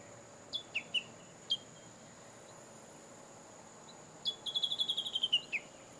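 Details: Japanese bush warbler singing from cover out of sight: a few scattered short chirps, then a quick run of about ten sharp notes that descends slightly and ends on a lower slurred note.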